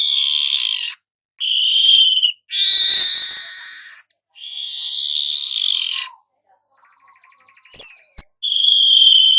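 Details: Golden-headed weaver song made of harsh, buzzy sizzling bursts, each about one to two seconds long, separated by short silences, with a brief thin whistled note near the end; no other sounds.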